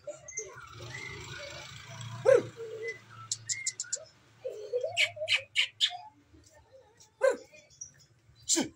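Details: Magpie-robin with short whistles and loud, sharp clicking notes spaced irregularly, plus a low harsh note and faint background hum.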